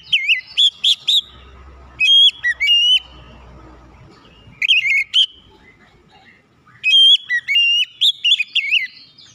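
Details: White-rumped shama song meant to trigger other shamas: several bursts of sharp, rising and falling whistled notes, some clear pure tones, separated by short silent gaps and faint twitters.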